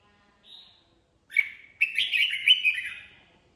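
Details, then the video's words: A red-whiskered bulbul gives a soft short note, then a bright, rich warbling phrase of quick liquid whistles lasting about two seconds, clear and close. "Chào Mào"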